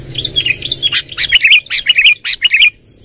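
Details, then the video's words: Long rolling song from a lively sooty-headed bulbul: a quick rhythmic string of bright, slurred chirps, roughly two per second, ending abruptly, with steady high hiss throughout. "suara tembakan BURUNG KUTILANG NGEROL PANJANG"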